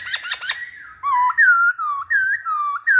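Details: Masked laughingthrush in full song, meant to spur other birds to sing: a few quick chirps, then clear, even, fluted whistles repeated in a steady rocking pattern of high and low notes.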